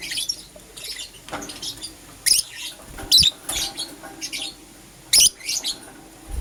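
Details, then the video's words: Morning chatter from pet lovebirds of green opaline and lutino colouring: loud, piercing chirps in separate bursts roughly every half second to second, with quieter scratchy twitters between them. "Lovebird Chirping Sounds"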